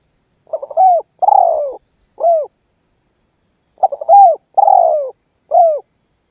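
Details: Energetic spotted dove song, claimed to prompt other birds to call along. Two phrases, each a few rapid stammered notes, then a long purring downward coo and a short rounded coo. A faint high-pitched whine is present.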